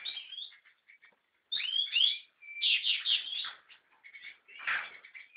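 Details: American goldfinch (Carduelis tristis) singing in bursts: short twitters, a pause, then a rich run of rising slurred whistles, a steady held note and rapid jumbled notes, with a rough lower note near the end.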